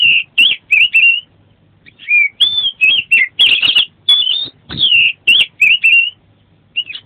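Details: Oriental magpie-robin (kacer) in loud gacor song with full isian: clear whistled notes and wavering trills in rapid phrases, a short pause, then a long run of strong whistles mixed with harsh bursts, trailing off at the end.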